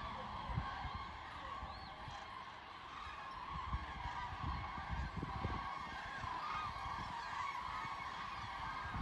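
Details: Thousands of common cranes migrating south in a broad front over the Wetterau, Hesse, near Bad Nauheim, on 22 October 2022: a continuous dense chorus of overlapping trumpeting calls from a large flock, with steady background rumble.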